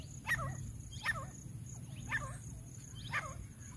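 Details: Captive grey francolin in jungle, kept to lure wild birds, calls a loud rhythmic series of ringing, hooked notes about every 0.7 seconds, each with a sharp upward flick, above a constant low hum.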